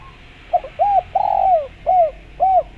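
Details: Spotted dove giving its coo phrase as a calling lure for other doves: a brief stutter note, an arched coo, a long drawn coo dropping at the end, then two evenly spaced short rounded coos.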